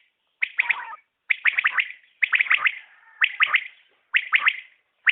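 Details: Common quail, newly recorded, giving its crisp triple-note call, each quick three-pulse phrase separated by short silences, six phrases in succession.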